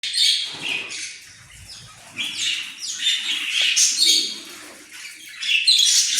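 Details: Australian parrots chattering together, a dense flock-like mix of high warbling, twittering and squeaky notes that swells and fades in waves.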